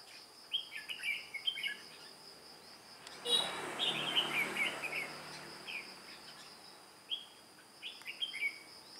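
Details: Decoy red-whiskered bulbul with white cheeks, used in trapping, flapping its wings and flicking its tail like a mature bird, 2 July 2018. It sings scattered short, lilting, slurred phrases, one burst of rustling noise midway, and a steady high insect hum beneath.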